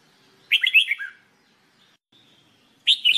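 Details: Red-whiskered bulbul (jambul bulbul) heard during singing training: a brisk phrase of sweet warbling notes closing with a dropping slur, a faint whistle in the pause, then a new bright phrase starting.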